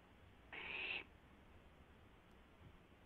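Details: Barn owl at 12:06 AM on April 12, 2016, with an owlet testing its wings. A single harsh, hissy screech of about half a second, then quiet hum and a faint click.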